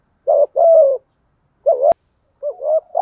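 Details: Captive decoy spotted dove being prompted to coo, used to lure doves in decoy trapping. Throaty coo pairs, a brief note then a drawn-out falling one, with a sharp click partway through and quieter wavering coos near the end.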